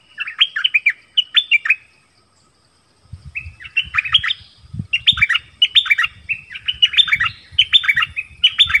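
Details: Dok taeng bird calling for a mate, recorded as a decoy in the forest. Two short whistled phrases are followed by a gap, then a run of repeated lively phrases over a low rumbling of handling noise.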